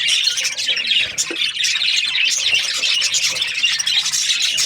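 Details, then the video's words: Budgie flock chatter: many overlapping shrill chirps and squeaky warbles run without a break, with one brief lower knock near the middle. "Budgies parrot chirping sounds"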